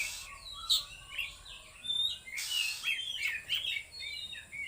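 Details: Oriental magpie-robin with loud, full-power singing in the trotol konslet style: varied whistled slurs, rising and falling notes and sharp chips in quick succession.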